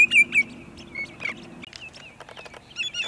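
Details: Sandpipers give sharp, high peeping notes at sunset at Montezuma, New York, on 6 May 2019: two loud ones at first, then a scatter of fainter twittering calls, over a low steady hum.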